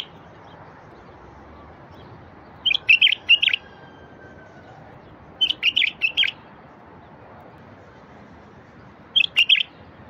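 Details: Wild bulbul song used to set silent bulbuls singing. Three phrases of three or four liquid, slurred notes, roughly three seconds apart, with a low constant hiss behind.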